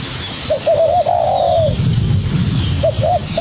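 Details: ['Young wild spotted dove answering a decoy in a fierce duel: quick run of short coos leading into a long drawn coo, then more clipped coos starting again, over low rumbling background.']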